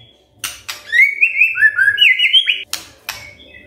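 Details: Magpie-robin song for morning luring of silent magpie-robins: a quick chattering whistled warble of short rising and falling notes lasting about two seconds, framed by sharp clicks before and after.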